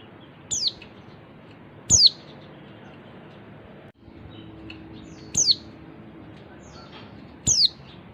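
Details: Female oriental white-eye calling to stimulate males to sing; thin high falling chirps near 6–8k, four calls spaced irregularly over eight seconds, above a steady low hiss.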